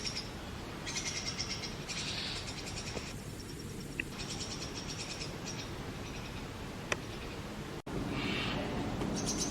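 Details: Brahminy starling babies in a nest box call for food as adults feed them insects: scratchy, wheezy bursts come in groups, broken by short pauses and a sharp click.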